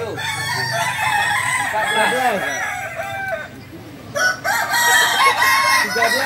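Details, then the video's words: At a Sunday Balenggek chicken contest in Ampang Kualo, Solok city, landiak class, roosters deliver extended crows built from many quick bouncing syllables, one caller fading as another loud crow starts. "Kontes Ayam kukuak balenggek kls landiak"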